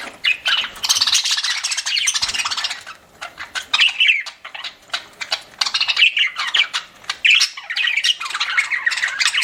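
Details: A pet budgerigar chatters while eating: rapid, scratchy chirps and squawks, mostly high-pitched and nearly continuous.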